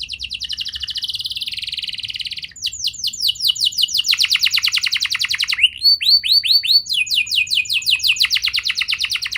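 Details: Canary song used as a lure to get young canaries singing: a buzzy high trill, then fast runs of descending sweeps, a short steady rolling tour and a quick closing trill, all very high and lively.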